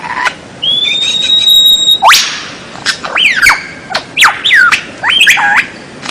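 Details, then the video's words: White-rumped shama song used as training material for captive birds: a long pure whistled note, then a loud sharp upsweep and a run of varied fast swooping whistles and twisting phrases, clear and loud against a quiet background. "MASTERAN MURAI BATU SUARA ANEH"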